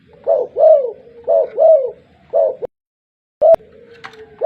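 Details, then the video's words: Spotted dove calling vigorously: a run of deep, rounded, rising-and-falling coos, about two a second, then a short pause and one clipped coo with clicking handling noises. "TEKUKUR BLOROK GACOR MENGUKU"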